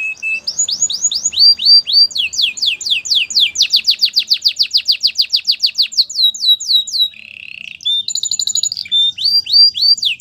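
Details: Canary singing to coach other canaries: opens with a short note, then long fast tours of sweeping downslurred whistles, a brief pause, a steady rolling trill, and more high whistled tours.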